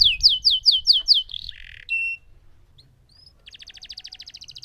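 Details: Singing lemon canary: a quick series of sharp descending whistles, a brief buzzy note and a clear tone, a short pause, then a soft rapid trill.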